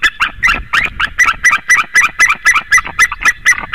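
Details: White-tailed eagle at a nest in Latvia, 2018, picked up by a nest webcam: a steady series of about fourteen sharp, yelping notes, roughly four per second, each bright and slightly rising, with faint low rumble beneath.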